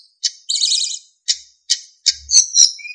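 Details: Narcissus flycatcher training song with clear flute-like notes. Short high chirps are separated by a rapid trilled, warbling phrase, ending in ringing whistled notes and a short low hum.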